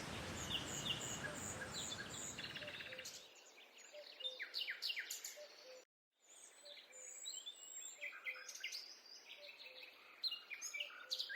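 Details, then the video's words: Forest birds heard on a walk: a broad rushing noise fills the first three seconds, then scattered high chirps, trills and sharp tweets from several birds continue, broken by a brief dropout midway. "A peaceful walk in the forest accompanied by the sound of birds"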